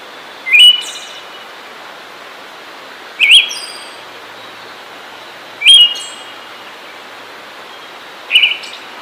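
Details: Siberian thrush delivering four separate whistled phrases at regular intervals of about two and a half seconds, each a short two-toned or zigzag whistle ending in a thin, high sizzling note, against a soft continuous hiss.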